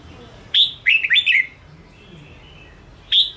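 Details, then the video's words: Red-whiskered bulbul (Ché chào mào) song for provoking and training caged bulbuls: a sharp whistled note, then three quick warbled, slurred notes, a pause, and one more bright whistled note near the end. "Chào mào Ché kích bổi căng lửa/kích chào mào sổ bọng/kích bổi ra âm/Luyện chào mào chơi giàn"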